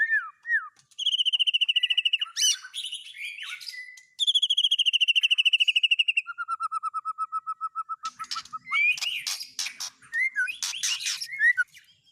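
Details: White-rumped shama, a cage bird whose song mixes in other birds' phrases: whistled slurred notes, then long rapid trills at two pitches, a steady lower trill, and a burst of varied chirps and squeaks.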